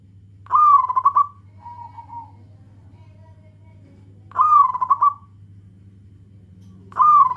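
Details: Local zebra doves calling to companions, a loud call used as a lure for other doves: three bright cooing phrases with a rolling trill, each about a second long, repeated every few seconds over a steady low hum.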